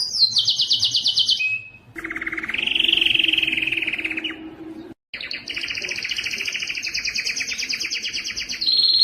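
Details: Canary song for teaching young birds and encouraging breeding: a high rapid trill, a brief pause, a low buzzy roll rising in pitch, silence, then a long bright rattling tour and a closing whistled phrase.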